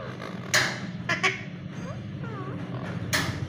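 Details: Alexandrine parakeets fighting: three harsh, raspy screeches about a second apart, with faint curved whistles between them over a steady low background hum.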